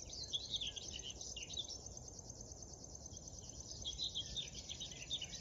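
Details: Morning song of a river warbler by the Drentse Aa, Tynaarlo, the Netherlands, June 2022: a high, rhythmic buzzing trill running throughout, mixed with bursts of chattering and twittering from other birds and a faint low rumble.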